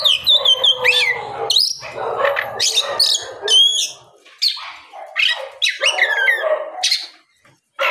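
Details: Oriental magpie-robin singing loudly in the afternoon, a lure meant to provoke other magpie-robins into replying. Harsh, rasping, broadband notes mix with sharp high whistled slurs and chirps in a dense, varied stream, pausing near the end.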